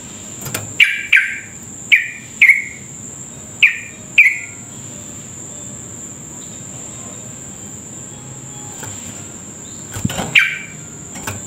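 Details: Yellow-vented bulbul giving short, bright chirped notes in pairs, spaced irregularly with long pauses, over a steady high insect-like whine, used as a lure to prompt other bulbuls to sing; Yellow-vented bulbul.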